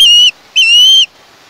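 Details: Juvenile osprey calling from its Chesapeake nest, live camera, 21 August 2019: two piercing whistled screeches, the first short, the second longer and steady.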